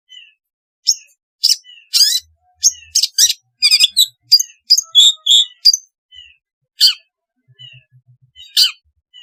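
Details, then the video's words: Long-tailed shrike singing, used as training sound for lazy cage shrikes: scattered high, clipped chirps and buzzy notes, a rapid trilled stretch in the middle, then sparser calls with short gaps. "suara asli cendet untuk terapi cendet malas bunyi agar gacor"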